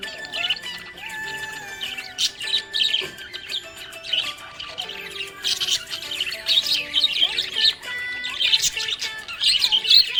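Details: Cheerful budgerigar chirps: chattering, scratchy warbled phrases come in short bursts, with music and long held tones clearly running beneath the bird.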